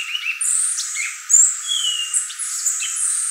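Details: Violaceous euphonia, called gaturamo verdadeiro or guriatã, delivering high thin whistles, a loud sharp note, and a long gently falling whistle mixed with lower chirps.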